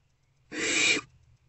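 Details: Barn owlet in a nest box at night, early morning of 3/2/24; a single harsh, breathy screech-hiss lasting about half a second, broad and noisy, followed by a spoken word.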